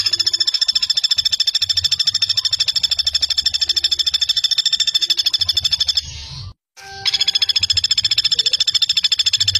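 A common flameback gives a long run of sharp, high, metallic notes, about three or four per second, broken by one brief pause near the end.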